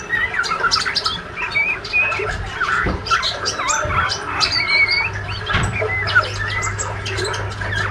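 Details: Spotted juvenile male white-rumped shama, healthy and eager, twittering in the ngriwik style: scattered short whistles, squeaky upslurs and sharp clicks in an irregular stream, with a low electrical hum and a few thumps.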